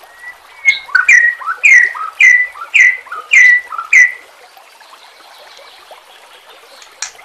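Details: Shama song with nature sounds: six or seven loud whistled phrases, each a descending slur, repeated about every half second, then a soft hiss and a single sharp note.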